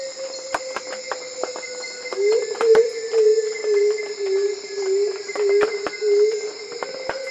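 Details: Black-throated coucal giving a series of about eight low, hollow hoots, each roughly half a second apart and slightly falling then levelling, over a steady high insect drone and scattered clicks.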